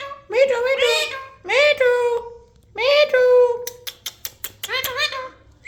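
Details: Parrot uttering three long, nasal calls, each rising then held flat, then a burst of quick clicks and a short upward squeak.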